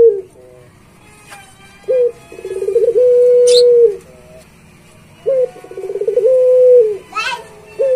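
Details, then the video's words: Barbary dove (puter pelung), a prolific singer kept as a training master for pet doves, repeating its coo phrase twice: a short clipped note, a fast pulsing roll, then a long steady low hum. A few faint clicks are also heard. "Suara Masteran Puter Pelung Gacor"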